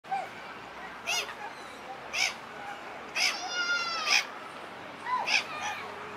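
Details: A pair of black-headed gulls strutting together in a pair-bond display outside the breeding season. Harsh, short calls come roughly once a second, and a drawn-out, tonal moaning note sounds midway.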